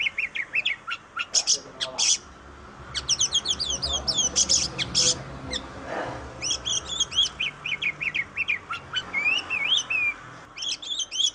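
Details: Oriental magpie-robin, called kacer in Indonesia, delivers a long, rich medley of rapid whistled notes, harsh buzzes and fast repeated trills with brief pauses, a faint low murmur underneath.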